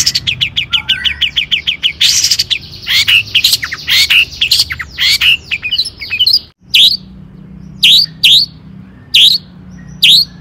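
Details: Long-tailed shrike song in the "toet toet" style, for provoking other shrikes to sing: a fast stuttering series of varied chips and warbled notes, then a short gap followed by single sharp notes spaced about a second apart.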